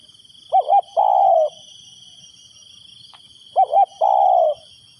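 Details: Decoy spotted dove calling to attract wild doves. Two phrases are heard, each a pair of short hollow notes followed by a longer sliding coo, about three seconds apart, with a constant shrill insect drone behind.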